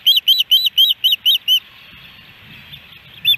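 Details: Osprey at a nest cam in Hellgate Canyon, Missoula, Montana, July 13, 2018, on a day of three fish deliveries; seven rapid, arched, whistled chirps, evenly spaced, then a pause and one more chirp.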